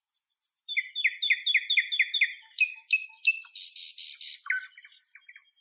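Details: Singing Northern European nightingale: an evenly paced series of paired chirps, sharp rising notes, a loud harsh rattle, then high whistled tones and short slurred calls.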